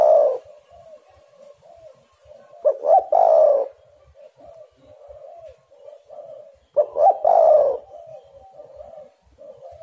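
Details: Spotted dove calling as bait for other doves: two strong throaty coo phrases about four seconds apart, each a quick double note and a rough rolling purr, with a steady run of faint soft coos between.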